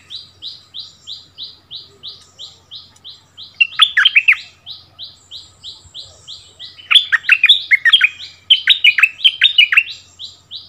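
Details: A long string of regular, thin high downslurred notes runs throughout, interrupted twice by loud, tumbling bulbul phrases as a decoy bird duels with a new resident territory holder on its old ground.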